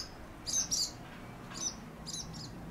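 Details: Swallows flying round and round a house in Japan on a sunny, warm winter day, 23 January 2019; short high chirps come in pairs near the start, then single and double twitters follow, over faint background hiss.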